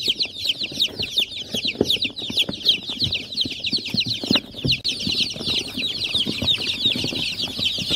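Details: A crowd of chicken chicks calls nonstop, their piercing descending cheeps blending into a dense chatter, with quiet tapping and shuffling sounds beneath.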